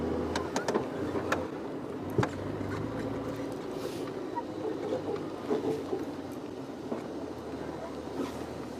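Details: A running vehicle engine rumbles under scattered clicks and soft speech outdoors at sunrise, with no clear animal voice.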